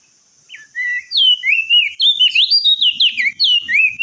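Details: Crested jay shrike singing: loud whistled phrases starting low and swooping, then a rapid series of rising and falling slurred notes, almost without a break.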